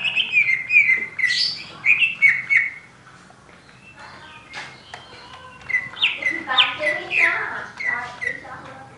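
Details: Oriental magpie-robin (kacer) in vigorous song: bright whistled phrases and scratchy chatter in short bursts, a quieter pause mid-way, then a dense jumble of rapid notes; faint voice-like murmurs below.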